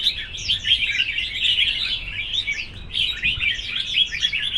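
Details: Competing red-whiskered bulbuls in a singing contest, giving a steady stream of lively whistled phrases and quick descending slurs, loud and continuous throughout.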